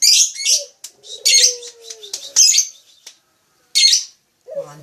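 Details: Harsh high squawky lovebird bursts separated by pauses, with a steady lower whistled tone gliding slightly downward between them.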